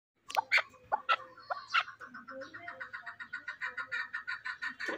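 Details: Chukar partridge kept as a fighting bird: a few loud, uneven clucks that speed up into a steady run of quick, ringing chuck notes, about two a second.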